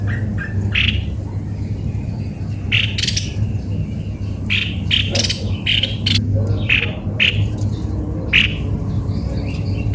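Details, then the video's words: Cucak kopi-kopi, noted for an unusual voice, uttering a long irregular run of short buzzy squawks, roughly one to three per second, over a low constant hum. "begini suara burung Cucak kopi - kopi"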